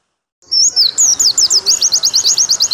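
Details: Pleci (white-eye) song used as tutoring for caged birds, long 'nembak' style with water sound added: after a brief silence, a fast run of high sweeping whistles settling into evenly repeated slurred notes, roughly eight per second.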